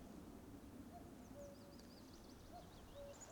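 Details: A distant common cuckoo, calling persistently for weeks, gives two faint cuck-oo pairs, each a higher note falling to a lower one, in Cannock Chase forestry in May in light wind, with low rumbling background and thin high chirps from small birds.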